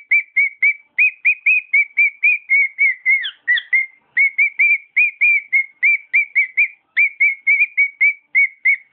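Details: A pet cockatiel sings a rapid run of around thirty-five bright whistles with a brief swooping, wavering phrase midway before the even chain of notes resumes.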